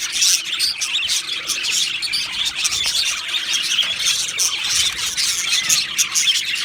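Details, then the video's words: Two male Australian budgies keep up a lively, high-pitched chatter of short chirps and squeaky warbles, dense and unbroken, with a few louder notes at the opening. "2 Male Budgies Birds Sounds | Australian Budgies Birds chirping sounds"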